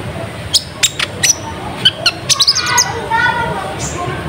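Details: Lure song of a kolibri ninja sunbird, used to bring wild birds in. Spaced sharp high chips speed up into a cluster, then give way to a lower, buzzy, rattling trill.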